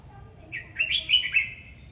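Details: Singing, dancing red-whiskered bulbul gives one rich warbled phrase of several rapid slurred whistles, rising then dipping, lasting under a second over a soft low background hum.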